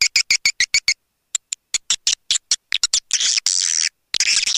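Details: Swiftlet lure call: a string of short, sharp high clicks at an uneven pace, then broader rasping, buzzy chirrs toward the end.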